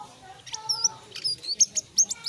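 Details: A selendang biru opening up into full song, giving a handful of high, thin, whistled notes and quick chirps in a short spaced series, with a faint lower tone underneath.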